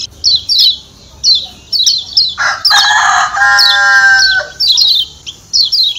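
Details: Lombok white-eye (kecial kuning) 'ciak ciak' call, used to lure birds close: quick high downslurred chirps in pairs and triplets, broken mid-way by a loud, rough, crowing harmonic burst lasting about two seconds.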